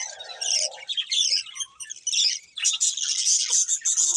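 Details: Colourful budgies chatter in high warbles and squeaky chirps, with a faint lower hum at the start and a louder, denser burst in the second half.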